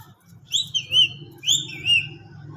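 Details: Green parrot giving two bright whistled phrases, each a rising note that slides down into a wavering lower tone, about a second apart, over a faint low hum.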